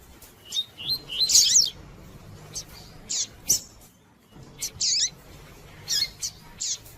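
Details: Female White-collared seedeater calling to stimulate a male to sing: short high chirps and buzzy, wavering notes in brief bursts separated by pauses, with a steady low hum underneath.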